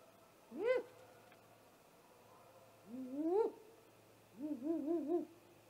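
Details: Great horned owl attacking a great gray owl nest shortly after midnight, 30 March 2018, nest camera: a sharp screech, a longer rising squall, then a quavering, stuttering wail.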